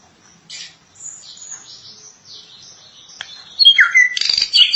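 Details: Srigunting (drongo) singing gacor, prolonged song: soft thin high whistles at first, then a louder falling whistle and a bright jumble of sharp metallic notes.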